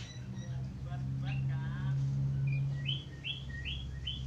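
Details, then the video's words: Australian finch chirping actively, finishing with a run of short, bright, rising chirps repeated about every third of a second, over a steady low hum and faint voices earlier on. "Burung falk australia gacor"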